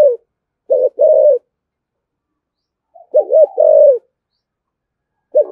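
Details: Low repeated cooing of a spotted dove, 'thổ thúc gù' style for provoking wild doves: wobbling double notes leading into a held coo, phrases about two seconds apart, otherwise quiet.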